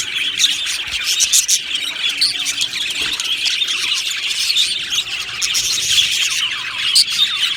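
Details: Happy budgerigars in an aviary colony keep up a long busy chatter: rapid high chirps and squeaky warbles from many birds, steady throughout with occasional louder peaks.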